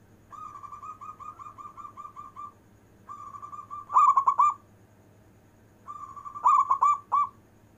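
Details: Local zebra dove song in long-breath style, used to call lazy doves: a long, even, gently wavering coo, then sharper rapid clusters of notes, repeated twice.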